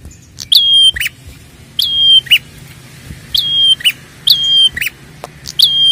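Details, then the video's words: Prinia, recording used as a lure to make prinias call: a sharp high note drops into a steady, level whistle about half a second long, then a short buzzy burst, repeated five times at uneven intervals over low background rumble. "pancingan prenjak gacor ampuh merangsang bunyi prenjak"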